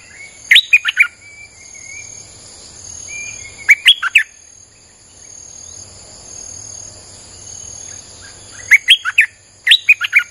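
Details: Streak-eared bulbul song played to attract wild birds: short bursts of quick, liquid chirping notes repeated several times, separated by quieter gaps filled with faint whistles and a continuous shrill insect hum.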